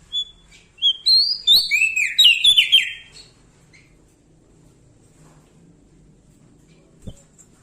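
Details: Bar-winged prinia, a lively singer, giving a loud clear song: a few short high whistled notes leading into a rapid burst of rising and falling trilled phrases lasting about two seconds, then quiet with a single click.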